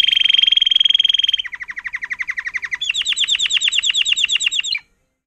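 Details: A 2018 agate topaz intensive yellow Timbrado canary, schooled in song, moves from a bright continuous trill to a lower pulsed rattle. It ends on a slower series of repeated swooping notes before stopping abruptly.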